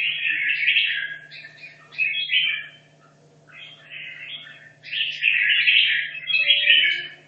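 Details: Caged red-whiskered bulbul practising for a competition, two and a half years in captivity: three loud bursts of fast, rich warbling separated by short pauses, low hum in the background.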